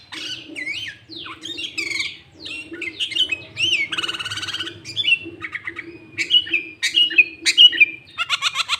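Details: Energetic sooty-headed bulbul singing to attract and challenge rivals: varied bubbling whistles, a dense buzzy rattle near the middle, then clipped repeated chirps and a closing harsh trill.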